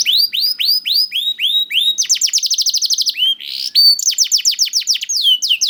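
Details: Lure song from a young canary, meant to coax other canaries to sing: upswept high notes repeated steadily, then a very fast rattling trill, a buzzy phrase, and more ringing downslurs.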